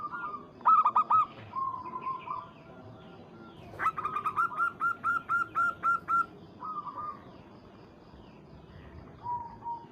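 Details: Local zebra dove calling a rival as a lure: a short burst of coos, then a quiet pause, then a loud, regular series of about ten rapid coos, followed by softer level notes.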